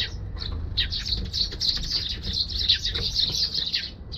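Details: Eurasian tree sparrow flying in to a balcony, recorded 1 December 2021 on a GoPro HERO6: a dense run of high, bright chirps, overlapping and nearly continuous for about three seconds, over a low rumbling background.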